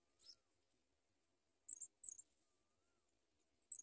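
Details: Sprague's pipit chick being fed by a parent, trying to swallow food: thin, very high squeaky notes in short bursts, one early and three more near the end, with silence between.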